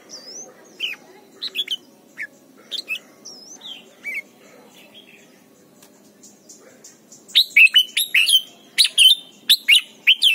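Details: Red-whiskered bulbul training song for young birds: first half has thin scattered high whistles and short upslurs, then a dense, louder stretch of bright, rapid, slurred whistled notes repeating irregularly to the end.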